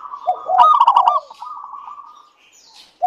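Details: Local zebra dove, a keen singer, used to prompt other doves: one loud bubbling trill of quick notes fading into a soft, drawn-out rolling coo.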